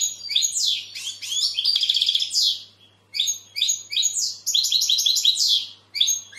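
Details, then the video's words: European goldfinch in full song, rapid cheerful twittering mixed with nasal buzzy slurs, given in several bursts separated by brief gaps; faint low hum throughout. "Goldfinch bird singing the best sounds (chirping)"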